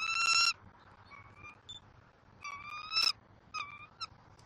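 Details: Bald eagle eaglet at a nest in Southwest Florida, 5 February 2024, during a fish feeding, giving one loud high whistle followed by softer, shorter thin whistled notes and brief chips, scattered over a quiet background.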